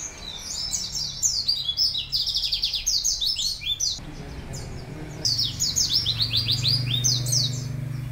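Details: Canary master song, a long-singing Cililin pleci filler song used for training birds: rapid bursts of high twittering notes and trills, dense and continuous, briefly pausing near the middle, with low background hum.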